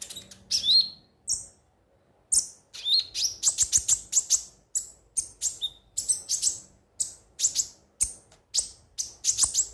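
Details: Konin (ruby-cheeked sunbird) song meant to prompt birds to sing: after a pause, a lively, dense stream of sharp high chips and quick ticking notes, with occasional downslurred whistles.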